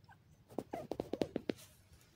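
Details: Black francolin, locally called dakhni teetar, calling in forest during the day: a quick burst of seven harsh, clipped mid-pitched notes delivered evenly in about one second against a quiet background.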